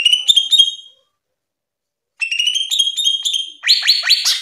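Greater green leafbird song: bright, high whistled notes sliding upward, a pause, then rapid ringing phrases breaking into harsh chattering bursts at the end.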